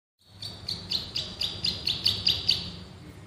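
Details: Male bar-winged prinia in a training recording for cage birds, singing in the rapid burst style called ngebren: about ten sharp, high chipping notes in quick succession, slightly uneven, over a faint low hum.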